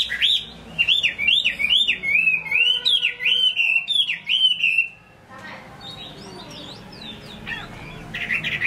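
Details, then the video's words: A Chinese hwamei sings loud, rich whistled phrases, each a swooping slurred note repeated quickly, then shifts to softer, higher twittering notes after a brief pause. "Họa mi hót tốt"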